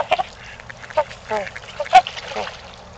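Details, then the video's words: Several separate trumpet-like honks from Trumpeter swans at Gallup Park, Ann Arbor, Michigan, in mating season. The calls are spaced roughly half a second apart, each short and nasal. "Trumpeter Swans @ Gallup Park Mating Time"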